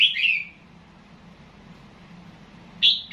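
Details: Red-whiskered bulbul in Loei province, Thailand, gives one bright, fast falling whistled phrase, then a long pause over a faint low hum before the next phrase begins.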